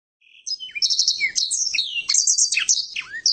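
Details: A kept blackthroat from a private collection sings in "nggaruda" and "ngeroll" styles. After a brief quiet start come high, tumbling phrases of bright trills, quick downslurred whistles and buzzy rolls, delivered continuously.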